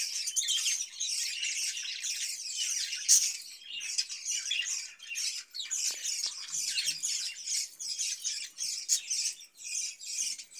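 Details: Budgerigars in a cage, a captive breeding setup, keep up a steady stream of high scratchy twittering and squeaky warbles with many overlapping voices and no pauses.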